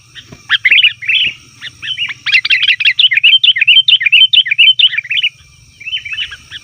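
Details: Rowdy sooty-headed bulbul calling used as a lure for wild forest bulbuls: a long, almost continuous stream of quick bubbly, warbled chatter notes lasting several seconds, a steady low hum and thin high tone behind.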